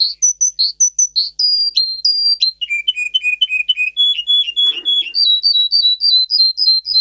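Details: Russian canary bred for singing, its song built of varied high tones: loud repeated whistled notes in rapid series, each tour changing pitch, with a brief noisy burst midway.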